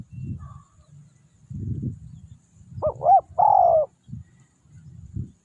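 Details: Spotted dove, tekukur, used as a lure for wild doves: a single inflected coo followed by a longer coo, set among low rumbling and thumping background noises.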